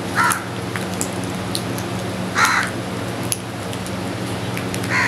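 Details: Crows calling while eating together: three harsh, hoarse caws spaced about two and a half seconds apart, with faint clicks and pecking taps between them over a steady low mechanical hum.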